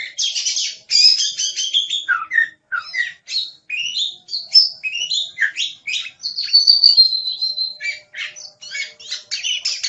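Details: Vigorous oriental magpie-robin song: quick rising and falling whistles mixed with buzzy notes, then a sustained clear high whistle midway, then more rapid varied phrases. Intended for training pet songbirds.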